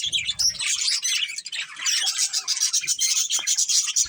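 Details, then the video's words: Budgerigars of a breeding pair singing: fast, continuous, high scratchy warble with quick repeated chirps, about three to four notes a second. "Cute Colourful Budgies Chirping Sounds | Love Birds Breeding Pair | Budgies Singing"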